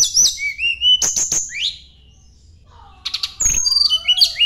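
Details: Sunda blue robin singing while seeking a rival: high, sharp whistled notes and quick downslurs, a quiet gap, then a burst of varied high trills over a low sweeping whistle, with some clicks.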